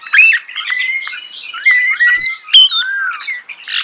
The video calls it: The song of the starling